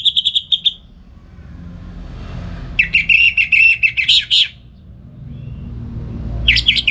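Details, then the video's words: Orange-headed thrush in morning song used for tutoring other songbirds: a quick rapid trill, a pause, then a longer rattling, buzzy trilled phrase with sharp accents, and another phrase starting at the end. "Pagi Hari Hari ANIS MERAH Ngeplong Gacor Untuk Pancingan & Masteran Burung Dirumah"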